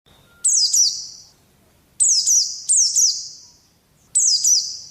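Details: Oriental white-eye used as training audio for pet birds: four bursts of high, sharp descending chirps, each sliding down with a ringing tail, separated by short quiet gaps.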